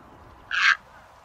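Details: A single brief, harsh, rasping croak of a white egret, used as a trapping lure, standing out against faint background hiss.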